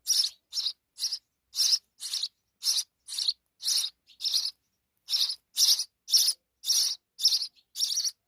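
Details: Rapid scratchy chirping from sparrow chicks being fed insects by their mother in Pakistan: around sixteen high, noisy notes in steady succession, broken by one short pause midway.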